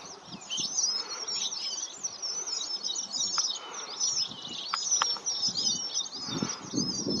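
A flock of red avadavats keeps up a steady, overlapping stream of thin, high chirps and twitters, with a soft low rumble of background noise.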